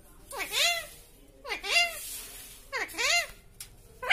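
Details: Talking pet parrot with a sweet voice, imitating speech indoors: three arched, slurred, speech-like phrases with rising and falling tone about every 1.2 seconds, clear harmonics, and a faint background hum.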